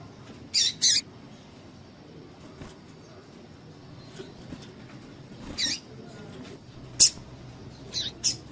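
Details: Female double-collared seedeater calling to rouse males for tournament singing; a quick pair of high chirps, then single sharp notes spaced a second or more apart, and a final double chirp, over faint hiss.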